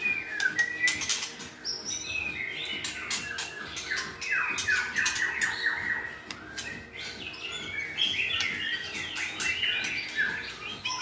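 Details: White-rumped shamas sing as tutors for another shama to widen its song. A busy run of harsh, chattering notes mixes with short whistled slurs, fast and jumbled, loud throughout with little pause.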